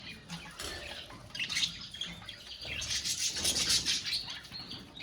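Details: Budgerigars calling together in a colony: a dense mix of high chirps, warbles and squawks overlapping continuously, with louder bursts after the first second and a soft low rumble beneath.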